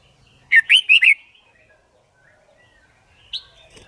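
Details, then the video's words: Red-whiskered bulbul singing for quick song learning and competition: four loud, quick slurred whistles in under a second, then near silence and one rising note near the end. "Luyện Chim Chào Mào Má Trắng Học Giọng Nhanh. Chào Mào Hót / Chào Mào Hót Đấu/Kích Bổi Hót"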